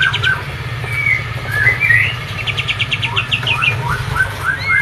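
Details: Kapas tembak white-eye from Medan singing a busy, rolling phrase: a rapid series of short chirped notes repeated in quick succession with occasional short whistles, set against a steady low background rumble.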